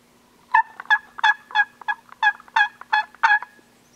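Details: Gould's wild turkeys on Mt. Lemmon in the Sky Island mountains of southeastern Arizona, recorded during annual surveys: a rapid rattling gobble of about nine harmonic, throaty pulses packed into three seconds. A faint steady low hum underneath.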